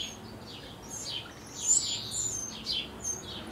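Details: Eurasian wren chicks, hours before fledging, beg during the adults' last feedings with a rapid, overlapping chorus of thin, high squeaky chirps, several bursts across a few seconds, over faint background hiss.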